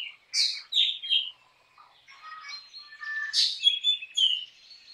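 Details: Black drongo singing: loud, varied phrases of sharp rising whistles and harsh, buzzy notes, some sweeping high, with a quieter stretch of softer twittering between bursts.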